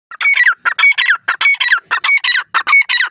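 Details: Francolin calling loudly and close: a rapid series of harsh, buzzy, squawking notes in tight bursts of two or three, about a dozen bursts in three seconds, each with a bright ringing overtone, with no other sounds.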